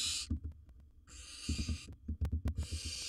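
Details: Wild barn owl swallowing large prey inside a nest box: raspy hisses, one long burst between two shorter ones, under rapid thumping and scratching.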